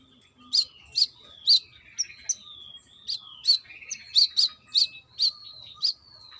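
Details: Brown-throated sunbird in trotol style, female calling male: piercing high notes mixed with long downslurred whistles, the notes coming in quick pairs and triplets.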